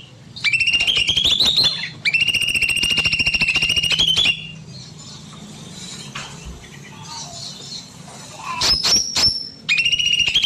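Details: Small bulbul in an aviary, singing long and persistently on an evening. Two sustained buzzy rattling trills, each about two seconds of rapid repeated notes, then a pause filled with distant bird chirps before another short burst.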